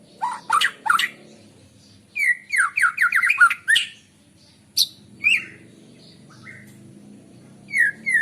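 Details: White-rumped shama in the morning, a recording for luring birds: sharp high chirps, then a fast run of rich, varied whistled notes sliding downward, followed by scattered softer whistles and chirps.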